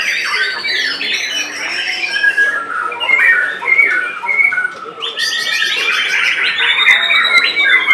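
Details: White-rumped shama singing in the top class of a bird singing competition in Semarang, Central Java, Indonesia, on 3 July 2022: dense, rapid whistled and chattering phrases, with overlapping song from other competing birds and crowd noise throughout.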